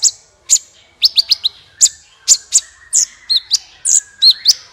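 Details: Sunbird song for prompting other birds to sing: a lively string of high, piercing chips and short twittering notes, several rising-and-falling whistled slurs, almost continuous.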